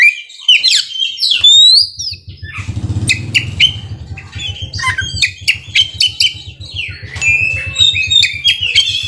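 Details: Oriental magpie-robin (kacer) in ngerol and nembak song: bright whistled slurs and clipped chip notes over a steady low mechanical pulsing drone.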